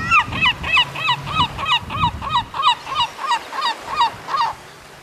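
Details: European herring gull calling a rapid series of about fourteen loud, harmonic, down-slurred yelping notes, roughly three per second, with low rumbling wind or handling noise beneath.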